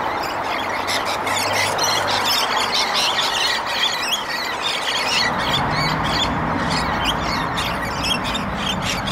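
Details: Australian rainbow lorikeets, one pair fighting another in a vicious ground battle for dominance; harsh, rapid screeching squawks come in dense overlapping bursts over a steady loud background rumble.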